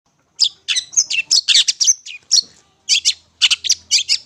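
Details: Long-tailed shrike song recorded for use as a lure: a rapid chattering series of harsh, scratchy high notes in short bursts, a brief pause near the middle, then more quick grating phrases.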